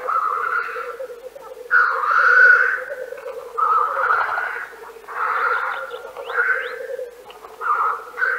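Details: Black grouse, Central Russia: a rapid series of six breathy, hissing sneezes, each about a second long, over a steady low bubbling chorus.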